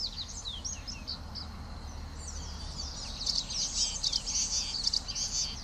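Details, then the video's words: Common waxbill, a small estrildid finch native to sub-Saharan Africa and often kept in captivity, giving rapid high thin chirps and down-slurred tweets that merge into a busy twittering chorus in the second half over low background hum. "Canto del Pico de Coral Común"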